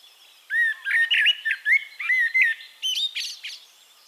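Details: Eurasian blackbird (Turdus merula) recorded in Castricum, the Netherlands, delivering a continuous loud phrase of low mellow fluted whistles, closing with higher thin twittering notes.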